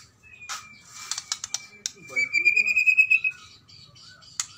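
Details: A Medan-type white-rumped shama gives a long, thin whistle, sharp clicks, then a fast rattling trill, a call meant to summon and agitate a rival.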